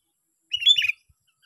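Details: Sooty-headed bulbul, a bird taken by trapping in a park, gives one quick, bright, gurgling phrase of a few run-together notes, under half a second long.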